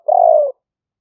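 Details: Spotted dove used as a trapping lure, recorded live on a smartphone in rainy-season rice fields in Roi Et, Thailand, in the liu fueang style. One low, steady hollow coo of about half a second, slightly falling at the end, with a silent background.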